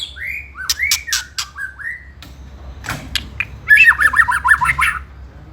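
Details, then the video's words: White-rumped shama song used to provoke rival birds: arched whistled notes, a few dry clicks, then a rapid high trill of repeated notes. "Pancingan Murai Paling Ampuh !! ketrekan kramat"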